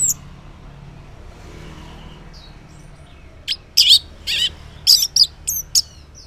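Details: Orange-headed thrush singing in the morning as a lure for silent males: after a quiet stretch, a quick series of sharp, high, scratchy notes and short trills in irregular bursts.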